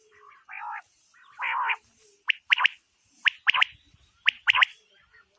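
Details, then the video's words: Female quail calling, used as a lure for quail hunting: two low buzzy rasping bursts, then sharp clicking double notes repeated about once a second, each pair quick and bright, with quiet gaps between. "بٹیر کا شکار اور زبردست آواز"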